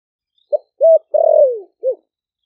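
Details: Spotted dove kept four months in a cage in Ninh Thuận gives one full 'thổ sấm' coo phrase to draw wild doves: brief note, rounded coo, a long falling drawn-out note and a final soft note, nothing else audible.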